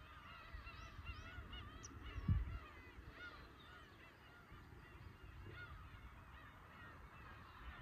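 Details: Black-tailed Gull chorus at Horozuki fishing port, Aomori, Japan: continuous layered mewing calls, one loud knock near the middle, and surf rumbling low.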